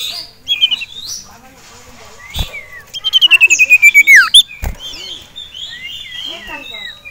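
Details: Agitated caged male ashy tailorbird reacting to a rival and a female: brief chirps, then a rapid pulsed trill sliding gradually downward and ending in an abrupt upswept note, then a scatter of quieter twittering.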